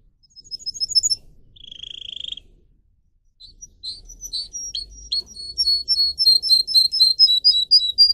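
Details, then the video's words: Canary kept as a singing pet opens with a few quick very high notes, then a brief buzzy trill, a pause, and a long run of rapid varied twittering notes at shifting pitches, rhythmic and bright. "Canary song video - type of song"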